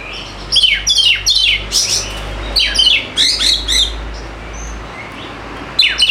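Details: Singing white-rumped shama, used to prompt lazy birds to sing: clusters of fast descending whistles and rasping notes in short bursts, with brief gaps and a low steady hum beneath.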